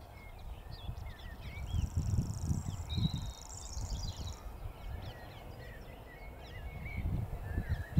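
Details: Common grasshopper warbler reeling in Totteridge Valley on 6 May 2017: a thin, high, even insect-like trill running for about three seconds mid-clip, with other birds chirping and a heavy low rumble of wind.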